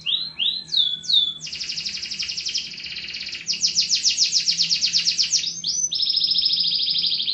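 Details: Canary song with a few rising whistles, then long fast rolling trills held for several seconds, switching in pitch, and a final steady buzzy trill; light background noise.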